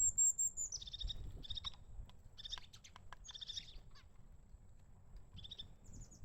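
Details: Crested tit calling in winter: a very high thin note, then short buzzy, rattling phrases repeated several times with brief pauses, over a steady low rumble.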